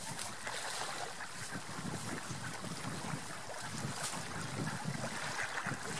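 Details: Gusty wind buffeting the microphone over lapping, splashing water, with no animal calls heard.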